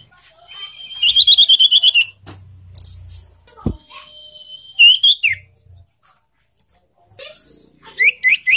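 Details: Young sirtu singing in a cage, a recording meant to get caged birds singing: a rapid pulsed whistled trill, then a thin level whistle, a short upslurred burst, and three quick rising chirps at the end.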